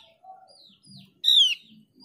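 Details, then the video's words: Mees's white-eye lure sound: a single strong, bright whistle dropping quickly in pitch, preceded by softer thin downslurred notes and faint low rumbling. "Pancingan opior jawa biar gacor dijamin opior jawa bahan dan opior jawa ombyokan pasti nyaut"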